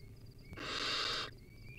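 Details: Wild barn owlet in a nest, feeding on a rodent, gives a single drawn-out rasping hiss lasting under a second, with faint high-pitched ticking around it.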